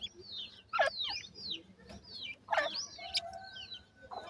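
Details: Feeding francolin chicks kept captive give clear, high, arching whistled peeps in small clusters about every two seconds, with a faint low hum.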